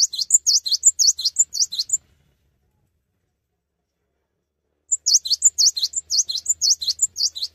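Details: Cinereous tit in full, persistent song without hopping about: two bursts of high, sharp, rapidly repeated two-note phrases, each note a bright dipping slur, separated by about three seconds of silence.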